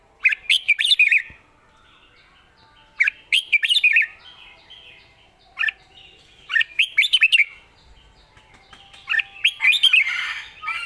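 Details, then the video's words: Red-whiskered bulbul with a well-phrased, light-voiced song: four bursts of rapid chirpy notes, each about a second long, separated by short pauses, with faint whistles between. "สำนวนดี ปากเบานกดาวรุ่ง"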